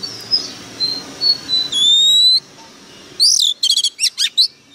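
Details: Oriental magpie-robin lure bird in intense song: soft thin whistles, a loud drawn-out rising whistle, then a quick string of sharp, ringing chirps.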